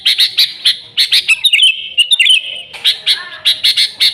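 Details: Sooty-headed bulbul, recorded as a lure for the species, gives a series of crisp chirps before a rich, bubbling warbled phrase with liquid slurs, then returns to rapid repeated chirps.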